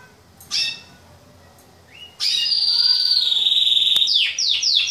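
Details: Male pet canary song (Yorkshire or Waterslager), sung loudly as the days grow longer: a brief bright note, then a long, even, high rolling trill that breaks into quick repeated bursts near the end.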